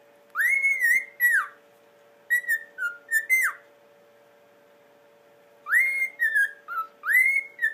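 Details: A pet cockatiel reacting to The Andy Griffith Show whistles clear, rising and falling phrases in short bursts over a steady background hum.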